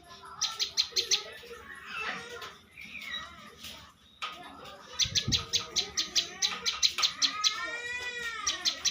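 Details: Bar-winged prinia, a contest champion, delivers fast clicking note trains, with a quieter gap midway filled by jumbled chirps and one low thump, then a long dense run alongside a sweeping whistled call.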